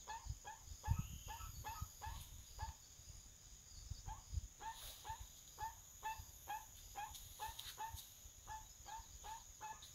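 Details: A crested guan in forest on a farm in Panama gives a steady run of short, honking yelps, about two or three each second, over a thin high insect whine and low rumbling background noise.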